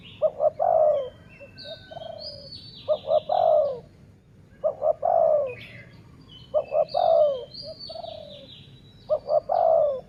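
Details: Dove calling in a decoy luring session, sai mueang style. Two or three quick stuttering notes lead into a longer descending coo, repeated every two to three seconds, with chattering high bird notes in the background.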